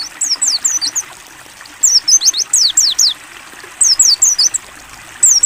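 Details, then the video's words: Clear 'ngalas buka paruh' song of a Mountain white-eye, a training recording with water therapy: clusters of piercing high downslurred chirps, three to five per burst, separated by brief silences, gentle water trickling beneath. "AUDIO MASTERAN PLECI NGALAS BUKA PARUH JERNIH + TERAPI AIR"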